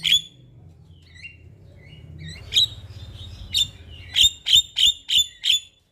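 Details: Javan myna in morning song, a lure and training recording: soft whistles and scattered harsh chirps build into a steady series of five loud, ringing chirps, with a low drone beneath.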